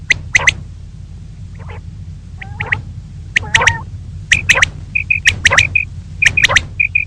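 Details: Female common quail calling in the morning: scattered sharp clicks and a few nasal notes, then a run of short, clear high whistles in pairs, over a low hum.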